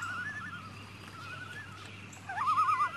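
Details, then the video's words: Morning loons on a lake: soft wavering tremolo notes, then a louder, rapidly quavering laugh-like phrase near the end, over a constant low murmur of lapping water. "Lake Lapping in the Morning with Loons"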